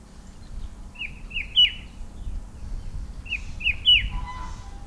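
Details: Himalayan shrike-babbler perched on a bare pear tree at an orchard and botanical garden in the hills; two quick phrases of three clipped, slightly descending whistled notes, the last loudest, a faint hum beneath.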